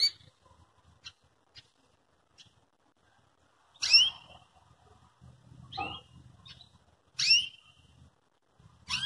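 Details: Belgian canary calling, meant to provoke and train another canary to sing: sharp high sweeping notes at about 4, 6, 7.3 and 9 s, separated by near silence with faint low hum.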